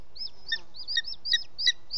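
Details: Booted eagle, male, bringing prey (an unidentified bird) at 20:09 on 18 June 2017 in Ports Natural Park; high, thin piping notes repeated about four times with lower overtones, over steady background hiss.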